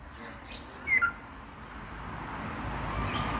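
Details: A captive grey parrot (Psittacus erithacus) at Tierpark Birkenheide, Germany, gives a soft squawk, then a quick pair of clipped whistles dropping in pitch, over a steady background hiss.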